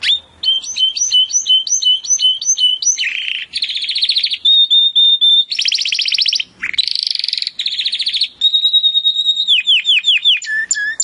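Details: Timbrado canary song played as training audio to improve canaries' singing: rapid trills and rolling buzzy tours alternating with repeated rising-falling chirps and a sustained whistled note, changing phrase every second or so.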